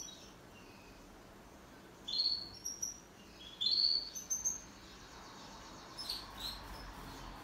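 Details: Two pet canaries in duet: after a few quiet seconds, two energetic bursts of high, sharp chirping and whistled notes, then softer twittering that trails away.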